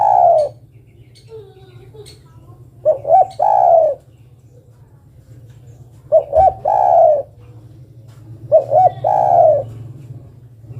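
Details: Female spotted dove calling the male: three phrases about every three seconds, each two or three short clipped notes followed by a longer mellow downslurred coo, over a steady low electrical hum.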